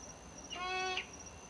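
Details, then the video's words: At around midnight outdoors, an unknown bird gives one flat, nasal, harmonic-rich honk of about half a second over a steady high insect-like whine; the observer saw it fly off and thought it looked like a big round owl. "Honking bird sound"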